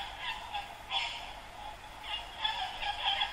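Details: White cockatoos perched on a dead tree beside the Brisbane River, Queensland, Australia, at sunrise. Short, rough, grating squawks from several birds overlap in quick bursts, with one louder screech near the middle.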